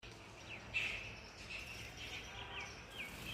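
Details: Indian ringneck parrot in Ludhiana, India: one loud, harsh, rasping screech just under a second in, then a string of softer chirps and short upward-sliding notes over steady low environmental hum.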